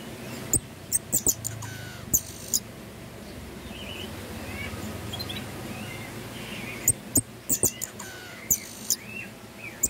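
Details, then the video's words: Pin-tailed parrotfinch (emprit pelangi) song: clusters of very high, sharp, metallic ticks at the start and end, with softer whistled notes from other birds in the background and steady low hum. "Pin-tailed parrotfinch singing Emprit pelangi gacor"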